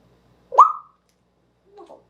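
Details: Pet talking African grey parrot during an object-naming session with its owners gives one loud, sharply rising whistled note, then a second later two soft, voice-like syllables in a quiet room.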